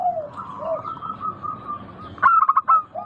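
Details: Soft sustained cooing and a lower coo lead into a sharp, stuttering rolling burst from a local zebra dove, followed by a short low coo.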